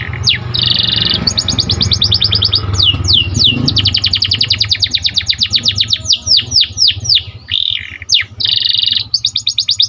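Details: Training song of a white canary: dense rapid trills and down-slurred whistles in quick succession, with short pauses between tours and a low steady hum beneath.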